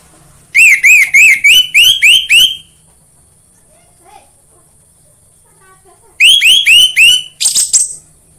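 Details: Orange-headed thrush song played to prompt birds kept at home to start singing: two bursts of about seven rapidly repeated rising-and-falling whistles, the second ending in harsher notes, with a quiet gap between.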